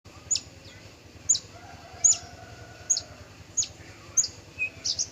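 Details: Male Horsfield's bushlark of the parva form, singing: sharp, high chips spaced about every second over a low steady hum, with a quieter background.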